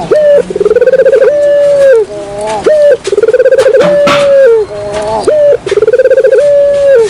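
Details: Luring call of Barbary doves: loud, regular phrases of buzzy rolling coos followed by a flat held note, repeating roughly every three seconds, with a brief voice in the middle.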